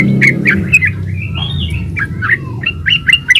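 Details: Yellow-vented bulbul lure song, gacor ropel style, aimed at prompting other bulbuls to sing; quick jumbled chirps and a drawn, slurred note over steady low background rumble.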